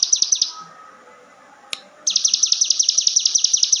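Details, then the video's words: Javan whistling thrush song used to train other songbirds: high, rapid, sharply repeated notes in fast chattering runs, a short pause with a click, then a quick steady series of bright chips. "CIGUN GACOR FULL NGEBREN"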